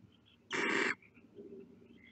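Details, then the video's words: Barn owl chicks at the nest, heads out of the nest: a single harsh, broadband hissing screech lasting about half a second, loud against a quiet background. "Los polluelos de lechuza sacan la cabeza fuera del nido."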